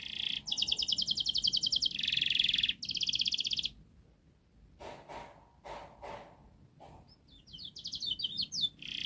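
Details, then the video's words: Canary singing gacor song meant to prompt young canaries into singing: fast high trills and buzzy rattles for about three seconds, then a quiet gap with soft low thumps, and rapid rising notes resuming at the end. "Kenari Gacor Panjang Speed Rapat Untuk Pancingan kenari Paud Agar Cepat Gacor"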